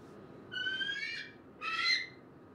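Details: Bald eagle in Michigan giving two thin, high squealing calls, each under a second and rising slightly at the end, over a faint steady background hiss.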